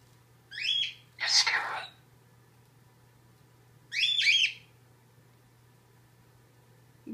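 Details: Eight-year-old pet citron cockatoo, fearful, indoors, reacting to a crow outside and using its self-made word "scare-ow" for anything scary: two short, raspy, harmonic bursts about three seconds apart, a breathy human voice between them, faint steady hum.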